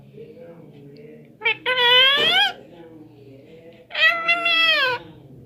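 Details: Indoor pet parrot aged nine months and nineteen days, said to talk in Hindi, gives two strong, bright, wavering vocal phrases about two seconds apart over a soft, low murmur of a person speaking.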